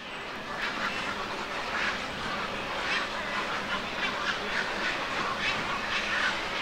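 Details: Juvenile black-crowned night herons at Lac de Maine, Angers, France, 24 July 2024: harsh, noisy rasping calls repeated roughly once a second over a steady background hiss.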